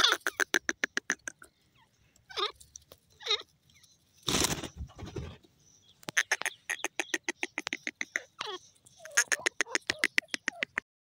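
A francolin gives loud, harsh, rapid runs of grating notes, broken by a few squeaky downslurred calls and a brief rush of noise.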